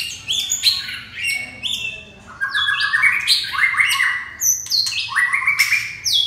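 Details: Red-whiskered bulbul pouring out a dense, continuous string of bright chirping and warbled notes, many sliding upward, with frequent sharp clicks between phrases.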